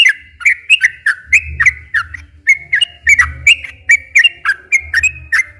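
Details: Sooty-headed bulbul singing a long, continuous song used to provoke silent or stressed captive bulbuls into singing: a steady series of clear whistled, slurred notes, several per second, over a low background rumble.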